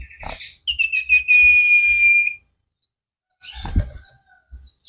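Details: Common iora (cipow) singing vigorously for a cage-bird training recording: a few stuttered notes then a long held pure whistle of about a second and a half, flanked by loud scraping and knocking noises.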